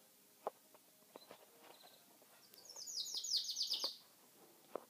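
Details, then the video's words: Chinese canary in Kuwait giving a short burst of quick, high chattering song notes after scattered faint clicks and taps, then quiet again. "كناري صيني يغرد"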